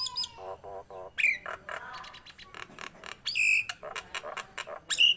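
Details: Nias hill myna song for prompting and tutoring other birds: a rapid rattling trill, short nasal notes, several bright piercing whistles, and rough chattering calls between them.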